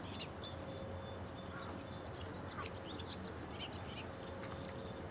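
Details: Courtship song of a bull-headed shrike in Japan: scattered squeaky high notes and short chattering twitters in an irregular stream, with a faint steady whistle-like tone and low hum behind.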